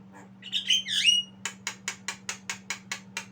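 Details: Young Javan myna learning to sing: a few harsh, squeaky notes, then a run of about ten evenly spaced, raspy, buzzy bursts roughly every fifth of a second, over a steady low electrical hum.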